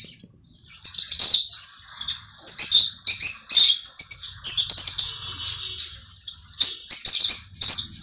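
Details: Conure calling in clustered, shrill chirping bursts and harsh squeaky notes that come in irregular flurries with brief pauses between.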